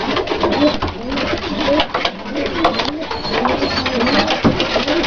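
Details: Dalıcı diving-breed pigeons kept indoors: short low coos rise and fall repeatedly over a dense background of clicks, wing rustles and shuffling birds, with faint voices.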